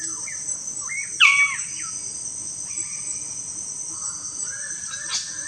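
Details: A Magnificent bird-of-paradise at its lek arena gives one loud, harsh, squeaky call with a few softer notes, over a steady high insect drone.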